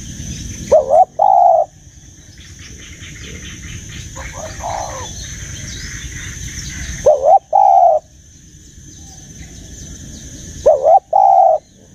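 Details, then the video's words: Dove with a deep giọng già rừng sát bổi voice giving three well-spaced coo phrases, each a short wavering note and a longer rounded one, over constant low noise with faint chirping from other birds between phrases. "Tiếng Chim Cu, âm giọng già rừng sát bổi"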